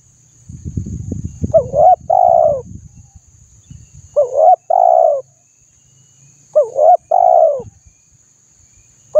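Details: Spotted dove cooing to stimulate untrained doves, three phrases about two and a half seconds apart, each two quick hooked notes and a longer coo, after some low thumping and rustling at the start.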